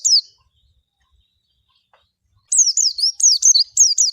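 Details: White-eye, called pleci or kacamata, giving one short high note, a pause, then a fast burst of high, wavering chirps that slide up and down.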